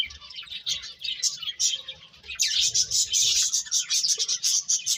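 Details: High, busy bird chirps, sparse and scattered at first, then swelling after two seconds into a thick stream of quick overlapping tweets.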